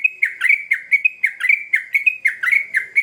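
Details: Sooty-headed bulbul singing to draw responses from other birds: quick, lively chirps in pairs and triplets, each note swooping up sharply, delivered in an unbroken, excited stream.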